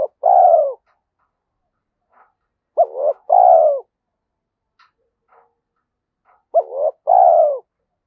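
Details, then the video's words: Spotted dove singing 'giọng thổ' (Thúc Đấu) style, a voice suited to the forest for decoy trapping: paired phrases of a short wavering note and a longer deep falling coo, three times over eight seconds, with faint ticks in the gaps. "cu gáy giọng thổ Thúc Đấu giọng hợp rừng khi đi gài"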